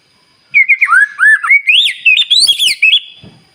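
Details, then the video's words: White-rumped shama song played in the morning to provoke other birds into singing: a rapid run of clear, slurred whistles sweeping up and down, growing denser and higher near the end. "Pancingan Murai Batu Paling Ampuh Bikin Burung Lain Meledak Bunyi"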